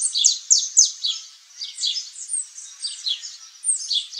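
A saffron finch sings a rapid series of high, sharp downslurred chips and short trills, about four notes a second, with no other sounds.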